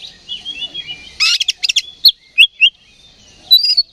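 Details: Oriental magpie-robin in vigorous fighting mood, singing loudly as a lure to provoke a rival's aggression. Thin whistled phrases give way to a burst of harsh buzzy rattling notes, then short sharp upslurred whistles and a final squeaky flourish.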